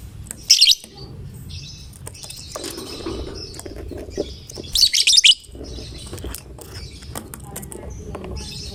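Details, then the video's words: Fighter lovebird singing to spur other lovebirds into song; two sharp, high chattering bursts about four seconds apart, with softer twittering and faint rustling between them. "Lovebird GACOR Fighternya Memancing LB manapun Ikut Bunyi"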